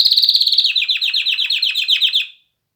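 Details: Canary song made of a rapid rolling trill, notes repeated many times a second, gradually dropping in pitch and ending abruptly after about two seconds.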